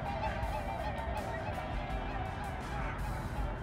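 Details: Swans in Bergen, Norway, early spring in March, three birds together. Muffled, nasal honks sound repeatedly beneath constant wind and water rush.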